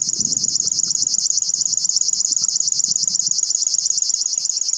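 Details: River warbler (Locustella fluviatilis) at RSPB Ham Wall, 15 June 2021, sings a steady, high, insect-like buzzing trill of rapid pulses, like a sewing machine, over a faint low rumble.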